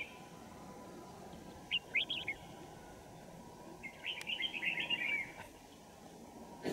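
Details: On a winter morning, 3 January 2018, while wild birds are trapped at Kim Bôi, Hòa Bình, a Red-whiskered Bulbul gives a short chirpy phrase, then a longer rapid warbling run of clustered notes, with faint background hum.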